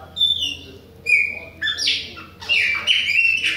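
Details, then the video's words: Chopi blackbird of the Bahia type, singing nonstop in the face of other birds: loud clear whistles, a falling slur, then buzzier rising notes and a sustained whistle, in short phrases with brief pauses. "PÁSSARO PRETO BAIANO NÃO PARA DE CANTA NA CARA DOS OUTROS !"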